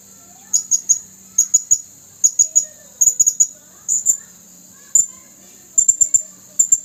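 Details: Male blue-crowned hanging parrot with a red throat, caged at a trapping site on 27 August 2021, calling to wild birds: very high, thin sharp chirps in quick bursts of two to four, repeated irregularly over a faint low hum.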